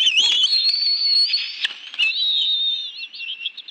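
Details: Wild bald eagles at their nest in the National Arboretum, Washington, D.C., on an afternoon in June 2017, as both adults bring fish for a family meal with two young. High, thin whistled calls wavering and sliding over nearly four seconds, with brief wing rustles.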